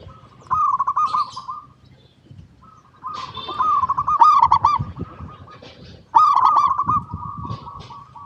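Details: Zebra dove, local type, singing in a recording used to lure other zebra doves into song; three loud passages of rolling, bubbling coos each lasting over a second, with quieter level cooing between.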